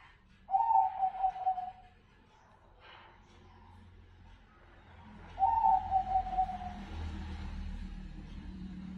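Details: Song of a Bangkok zebra dove: a pulsed, bubbling coo phrase at the start and another near the middle, each trailing off into a steady tone, over a low hum that grows louder toward the end.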